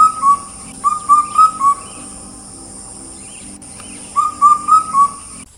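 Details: A Common Hawk-Cuckoo (brain-fever bird) in a tea garden in Assam, India, gives loud, clear whistles, each a quick upslur, in bursts of four or five notes, over a steady high insect hiss.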